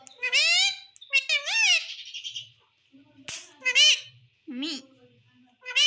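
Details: Pet parrot talking in a string of short, speech-like phrases, each a rising or wavering harmonic voice with bright overtones, separated by brief pauses and soft low clicks.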